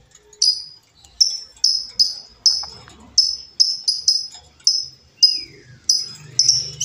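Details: Wild female lovebird, meant for luring or training other birds, repeats sharp, piercing high chirps with quickly fading tails, some in quick pairs, roughly twice a second.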